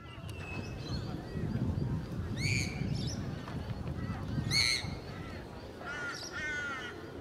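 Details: Eastern great egret (Ardea alba modesta), recorded 15 July 2011, gives three harsh, croaking calls a couple of seconds apart over a steady low rumble.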